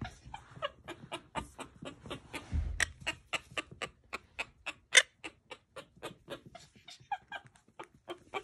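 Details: Pet monk (Quaker) parakeet playing hide and seek gives a rapid run of short, sharp clicks and chirps, about three or four a second, with a brief low thump of handling partway through.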